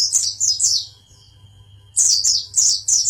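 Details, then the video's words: Champion Oriental white-eye from Pangandaran: rapid high-pitched twittering chirps tumbling in quick runs, a pause with a thin steady whistle tone, then another fast chirping run; constant low hum behind. "Burung pleci jawara pangandaran"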